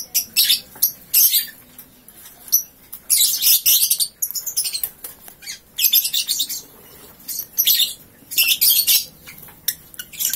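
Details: Freshly woken lovebird of three months giving ngekek: high sharp chirps alternate with several long harsh bursts of rapid shrill chattering, repeated through ten seconds with short gaps.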